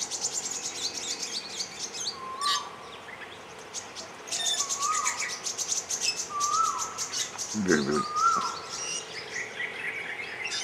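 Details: Grey-eyed bulbul on Koh Lanta, Thailand: a short, clear whistled note with a quick upward-then-level inflection, repeated four times about every two seconds. Steady high insect buzzing continues behind it, and a brief low rustle is heard.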